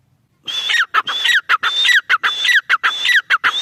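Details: Grey francolin, its call starting after a brief quiet moment: loud repeated phrases, each a high drawn whistle and then sharp descending notes, coming roughly twice a second in a rhythmic series.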